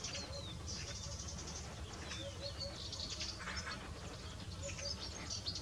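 Lesser grey shrike giving quick, scratchy high chirps and short squeaky notes in irregular bursts, over a steady low rumble of wind.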